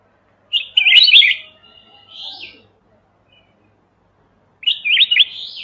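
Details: Mountain red-whiskered bulbul used as a trapping lure, recorded without background noise. A rich twittering warble trails into a drawn-out, slurred whistle, then after three quiet seconds another sharp, rippling phrase begins.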